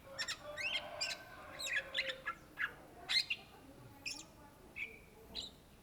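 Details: Greater green leafbird (cucak ijo) singing: dense clusters of scratchy chips and twittering at first, then spaced bright whistles and sharp notes at irregular intervals.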